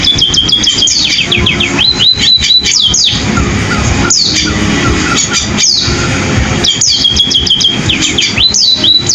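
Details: Lively canary-style song from a sparrow: quick trains of high whistled notes and trills in repeated bursts every few seconds, over a constant low rumble.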